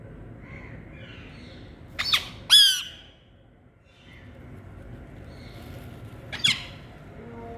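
Rose-ringed parakeet giving three harsh, grating screeches, two close together and one a few seconds later, with faint chirps from other birds in the background.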